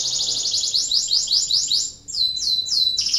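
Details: Canary in breeding condition, song meant to prompt other canaries to sing: a steady run of high rapid repeated notes, a brief pause, then slower downward-sweeping whistled phrases.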